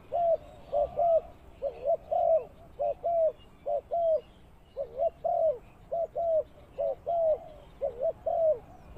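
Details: Spotted dove serving as a ground lure for bird trapping, repeating low throaty coos in steady paired phrases, about one note per second, each a short note followed by a slightly longer one.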